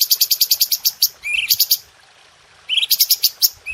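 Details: Red-whiskered bulbul training song for cage birds: fast runs of sharp high notes, each run ending in a short buzzy phrase, with a brief quiet gap in the middle.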